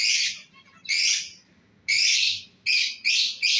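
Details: Breeding pair of lovebirds calling with loud, harsh, high squawks, five in quick succession, each about half a second long with short gaps between.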